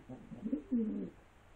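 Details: A single pigeon coo, a low, rounded, burbling phrase that swells and then slides downward, lasting about one second in a quiet indoor space.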